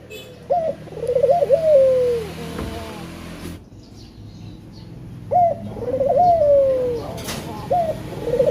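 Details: Male spotted dove calling to lure other birds into song: two full coo phrases, each a sharp note, a rolling trill and a long falling tail, separated by a quiet pause with faint knocks.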